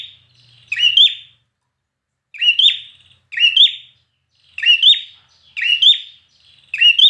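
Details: Six sharp, clear whistled phrases from a red-whiskered bulbul trained for singing competitions, each rising with a bright twist then fading, spaced about a second apart in a clean recording.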